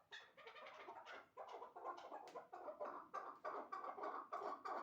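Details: Caged chukar partridges, a two-year-old wild-caught bird and a one-year-old hybrid, kept as callers: harsh clucking chuk notes in quick bursts, about three per second, swelling in short runs and growing louder toward the end.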